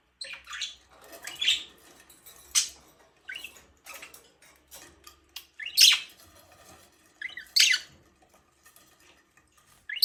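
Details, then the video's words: Budgerigar uttering separate short chirps and squeaks, roughly one every second or two, with quiet gaps between the calls. "budgies parrot chirping sound"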